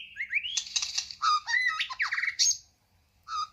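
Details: White-rumped shama giving a loud varied phrase of rich whistles, slurred notes and harsher chattered elements, followed by a pause and a short whistled note.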